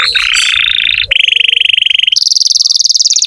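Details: Vigorously singing canary, played as a lure for young or silent canaries: a harsh buzzy phrase, a steady pulsed trill, then a higher, very rapid rolling trill repeated many times per second.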